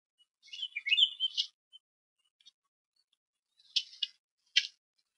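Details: Harrison Bay bald eagle nest, 5 May 2015: an eaglet caught on nest camera attempting to feed itself after a parent ate without sharing, giving a wavering squeaky squeal, followed by two brief scratchy high bursts.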